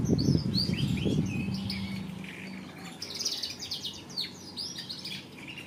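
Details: Canary singing bright, high chirps and fast rattling trills in quick succession. A loud low thumping and rumbling noise covers the first second, and a steady hum follows.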